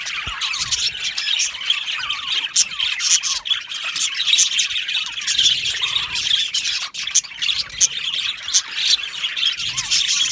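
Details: Colony of budgies in an aviary chirping happily: ten seconds of dense, scratchy twittering, short rising whistles and sharp squawks from numerous birds talking over one another.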